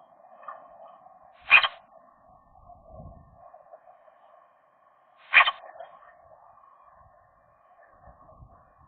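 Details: Magpies, likely a young couple, flirting inside their nest in January, with the female new to the territory: two brief, harsh, scratchy notes about four seconds apart over a constant background hum.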